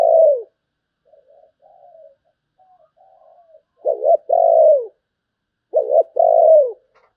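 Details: Spotted dove in 'sấm bầu' song: a falling coo ends, quiet soft murmurs follow, then two full phrases of a stuttered doubled note plus a long descending coo, about two seconds apart.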